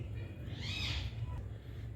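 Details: A pet Alexandrine parakeet, calling from a house rooftop in Kalyani on a bitterly cold winter morning before sunrise, gives one harsh, arched screech that rises and falls in under a second, over a steady low rumble of wind or handling noise.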